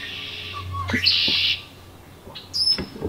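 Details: Incubating wood duck in its nest box in late May. A drawn-out raspy squeal fills the first second and a half, then soft taps and a high whistle, with a low hum beneath.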